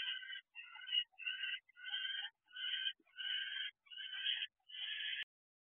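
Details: At the nest box on the evening of 9 January 2024, an owl that has returned with food; eight fairly quiet, grating, broad bursts in a row, each roughly half a second long, with clean silence between them.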